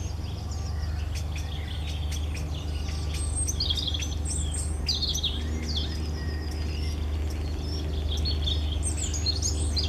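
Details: Singing European robin: varied, liquid high warbles and squeaky notes in short rapid bursts, with a continuous low hum underneath.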